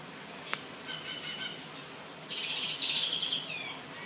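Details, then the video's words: A caged male black-and-white seedeater in New Jersey, moulting into new plumage, sings high, rapid buzzy trills and thin sharp notes in quick bursts, rising in loudness toward the end. "Papa capim preto e branco/ Black and White Seedeater"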